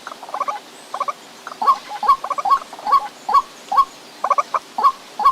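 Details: Repeated croaking notes of a White-breasted waterhen, starting with soft stuttered clusters, then settling into emphatic single hooked calls about every half second, with some doubled notes.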